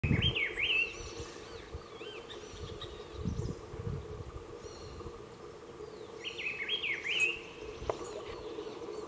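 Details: Rufous-browed peppershrike (Cyclarhis gujanensis) singing at Patio de Agua, Coronado, San José, Costa Rica: two loud, rich, warbled whistled phrases about six seconds apart, over faint high calls of other birds and a steady insect drone.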